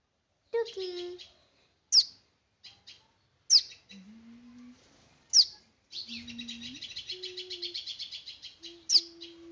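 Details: Small bird giving scattered high chirps, then a long rapid rattling chirp series from the sixth second on, cut by sharp descending whistle-like sweeps every two to three seconds over a faint low hum.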